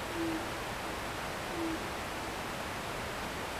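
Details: After sunset on a hillside behind a house in Japan, an owl gives two brief, low hoots about a second and a half apart, faint against constant river noise.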